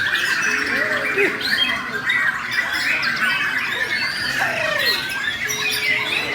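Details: Bornean murai, a white-rumped shama, singing in an aggressive fighting style: dense, fast runs of sharp whistles and chattering notes, with a few sliding whistles lower down and a steady faint hum.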